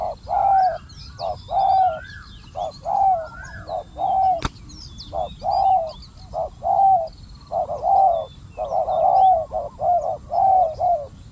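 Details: Spotted dove used as a decoy to draw in wild doves, with a very fierce wild bird responding; a long series of low, hoarse coos in grouped phrases repeats about once per second, with faint high chirps from other birds behind.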